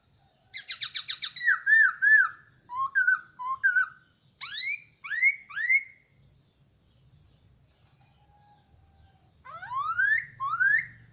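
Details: Hwamei kept by its owner for a year opens with a fast run of about eight sharp repeated notes, then a string of downslurred whistles, rising swoops and, after a quiet gap, a final burst of upswept notes.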